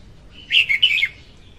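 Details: Female red-whiskered bulbul, song used to lure birds for trapping; a single quick, liquid phrase of about four warbled notes dropping at the end.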